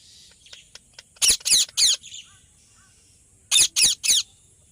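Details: Ringneck parrot giving loud, harsh, grating screeches in two bursts of three, each burst fast and evenly spaced, with quiet gaps between.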